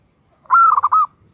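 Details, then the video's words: One clear phrase from a female zebra dove calling a male, a rising clean coo running into a fast stuttered trill of several pulses, in near silence. "Perkutut Betina Memanggil Jantan"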